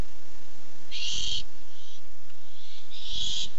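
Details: Harsh hissing screeches from a Barn owl looking for food at a nest camera, August 2015: a loud burst, quieter short rasps, then another loud burst about two seconds after the first.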